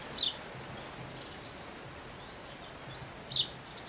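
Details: A red-billed firefinch (Lagonosticta s. senegala) at Saly, Senegal, in April 2010 gives two thin, high, sharp call notes about three seconds apart over a steady background hiss.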